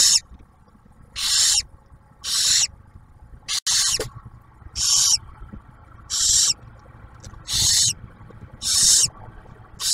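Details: Steady series of rough, noisy hisses, about eight in ten seconds, from barn owls at a nest near Oak Harbor, Ohio, where the female feeds the newly hatched owlet after the male's food delivery.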